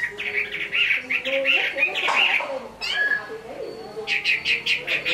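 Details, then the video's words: Hải Phòng Chinese hwamei singing, with bursts of rapid warbled whistles, a short pause, then a quick series of repeated bright notes at the end, over faint background noise. "Họa mi hót tốt"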